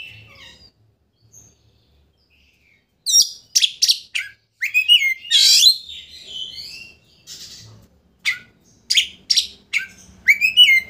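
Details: Kacer, the Oriental magpie-robin, in energetic lure song meant to anger a rival into spreading its tail; after a quiet start, dense bursts of harsh buzzy notes, slurred whistles and upward sweeps follow in quick succession.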